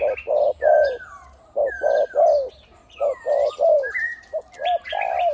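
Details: A caged decoy spotted dove with a big voice coos in the one-kuk, khu-ang style. Low, hollow coo phrases repeat, each made of short notes that end in a longer falling coo. Other birds whistle and chirp faintly above.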